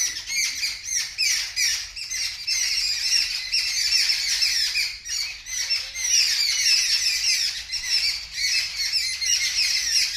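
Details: Birds scream continuously in harsh, high, overlapping squawks and chirps, loud and unbroken, reportedly in response to a kitten making a strange sound on seeing them; no kitten is clearly heard.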